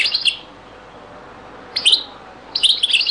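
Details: European goldfinch, Beni Messous 'les avocats' zaboka song style from a very old recording: high, liquid twittering phrases, one at the start, another near two seconds and a longer rippling run at the end, with quiet gaps between.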